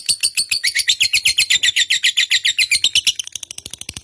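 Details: Pet lovebird of the fighter type, recorded as a bait sound to spur other kept birds to sing: fast, shrill chattering notes, about four a second, in a steady run that turns thinner and clipped near the end.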